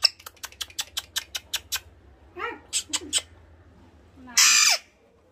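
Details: A talking Alexandrine parakeet, said to speak well and say "Ma", gives a quick run of about ten sharp clicks, a short voiced word-like syllable and a few bursts, then a loud, harsh squawk.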